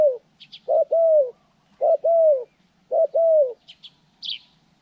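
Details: Decoy spotted dove in trapping training, January 14, 2020, giving a loud repeated cooing phrase: a short clipped note followed by a long falling coo, three times about once a second, with faint high chirps of other birds.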